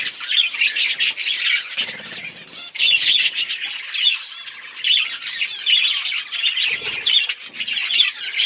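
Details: Budgerigars in a colony chirp and warble in bursts about a second apart, dense high twittering with soft wing flutters heard twice.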